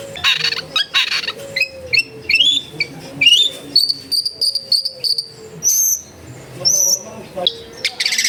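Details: Long-tailed shrike tutor song for coaxing a silent caged bird to sing: varied sequence of short chirps and clear whistled notes, some rising, others drawn out and level, mixing high thin whistles with lower ones, steady background hum.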